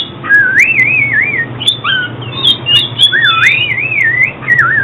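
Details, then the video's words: Oriental magpie-robin singing, used for trapping and song training: sinuous wavering whistles rising and falling, short upward slurs and chips, several melodic phrases in quick succession. "Tiếng chích chòe than chuyên dùng đi bẫy và luyện giọng chim hót hay mỗi ngày"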